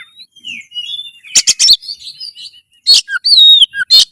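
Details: Oriental magpie-robin singing as a training recording to raise breeding drive and fight mode: soft thin whistles build into loud harsh bursts and a smooth arched whistle, then sharp short notes.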